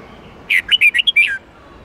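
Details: Red-whiskered bulbul song used to train caged bulbuls to sing: one loud, quick phrase of six whistled, warbling notes, rising and falling, ending in a downward slur, over a quiet background.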